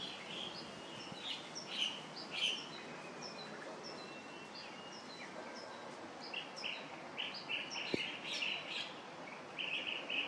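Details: Chestnut-headed bee-eater calling: short, rolling trilled notes repeated in irregular bursts over ten seconds, some overlapping, against a soft background hiss.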